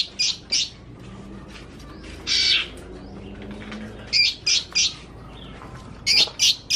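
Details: A young greater green leafbird, still spotted with white on its wings and tail, gives bright, high chirped phrases in bursts of two or three notes with a scratchy squawk between, in a mimicry-rich song; a man talks quietly.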